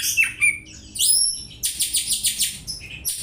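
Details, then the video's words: Short burst from an oriental magpie-robin imitating a house sparrow, a song used for tutoring: a few thin whistled slurs, then a quick series of about eight repeated buzzy chirps ending in a high note. "Kacer nembak burung gereja , cocok bwat masteran"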